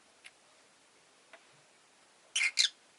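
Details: Rosy-faced lovebird during a leisurely afternoon, giving a couple of faint ticks followed by a loud pair of harsh, high, squeaky chirps close together near the end.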